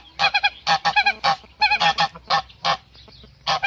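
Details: A male goose protecting its female calls with rough, nasal honks, some doubled, spaced unevenly through the stretch and separated by short silences.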